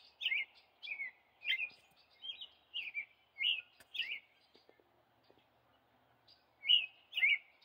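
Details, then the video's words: A male American robin in Michigan, heard loudly from inside a house, sings clear, warbled caroling phrases of two to three notes each, in quick bursts with short pauses between them, over a low steady hum. "red robin singing"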